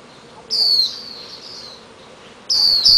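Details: Swinhoe's white-eye fledgling, freed after a few days of caged protection and still fed red berries by its parents in a garage; two sharp, high, descending calls with faint overtones, separated by a quiet two-second gap.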